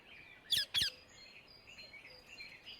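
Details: Indian ringneck parakeet in the wild uttering two short, harsh, screechy notes close together, over a soft background of distant chirping and whistling birds.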